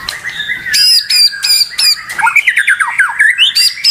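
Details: Murai batu, the white-rumped shama, in excited unbroken song: rapid ticking bursts alternating with clear high whistles, then a tumbling series of quick slurred whistled notes rising and falling.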